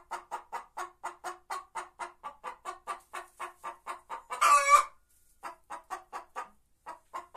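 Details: Singing White Leghorn hen giving a long run of rhythmic soft clucks, interrupted midway by one loud, harsh drawn-out squawk before the clucking resumes.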